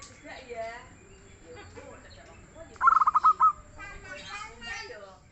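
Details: Local zebra dove giving a short staccato cooing series of about six clipped, evenly spaced notes, with human speech heard before and after.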